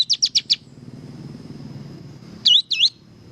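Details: White-shouldered triller singing energetically: four quick, high sharp notes, a gap of almost two seconds, then two looping whistled notes, with a soft low background hum.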